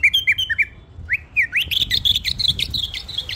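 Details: Pet bulbul giving a lively run of clear whistled notes, first short rising and falling slurs, then a fast continuous warbling phrase near the end, over faint low hum.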